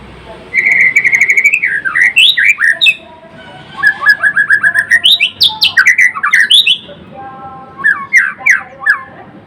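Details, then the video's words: White-rumped shama, a Murai Blorok bird, singing a long, varied song: a rapid trill of repeated whistles, zigzag slurred phrases, another fast rattling series and closing looping whistles. "Kicauan MURAI BATU GACOR (Murai Blorok gacor)"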